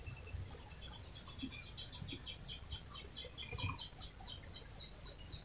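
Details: Canary trilling a long rolling song meant to prompt other canaries to sing: a soft, very high series of quick repeated notes, about three per second, steady throughout with faint low background noise.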